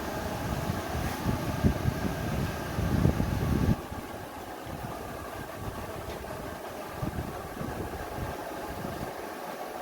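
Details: Steady low engine rumble like an idling vehicle, louder in the first four seconds, with no animal calls heard.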